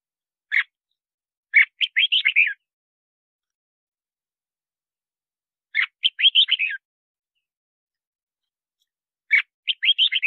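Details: Red-whiskered bulbul song for calling in wild birds and training singing: a sharp opening note, then a tumbling phrase of warbled whistles, repeated about every four seconds with silence between.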